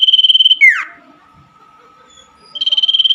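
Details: Common iora singing at night as therapy for caged birds that stopped singing: a fast high trill drops into a descending slur, a pause with a faint steady tone follows, and the rapid pulsed trill resumes.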